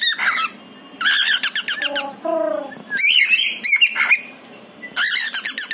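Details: Pet pied male cockatiel calling to its partner indoors, a mix of fast chirp runs and a few lower, softer whistled notes in between, with loud bursts returning near the end.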